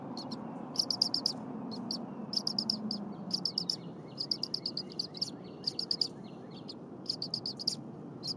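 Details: Bald eagle eaglet at the Berry College nest, 8:00 AM on 23 January 2022, chirping incessantly while its mother preps and defurs stiff leftover prey; it was fed within the hour. High, thin chirps come in rapid clustered bursts every second or so over a steady broad hiss.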